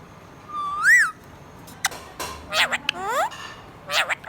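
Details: Pet budgerigar giving one arched whistle, followed by clicks, buzzy squeaks and rising harmonic warbles in irregular chatter.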